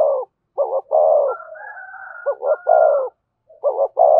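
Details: Spotted dove singing a 'giọng thổ' coo with 'thúc' and 'kèm' phrasing. Three phrases, each a stuttered double note then a sustained mellow coo, while a fainter higher wavering tone runs through the middle.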